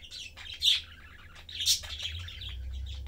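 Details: Domestic budgie family, father, mother and chick, chatting and feeding, giving rapid scratchy warbles broken by two loud shrill squawks, with a faint low hum behind.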